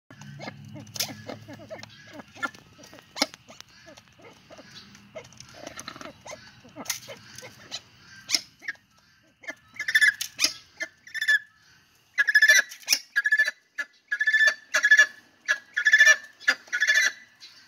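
Kenya crested guineafowl giving harsh, rasping cackles in quick bursts after a quieter start.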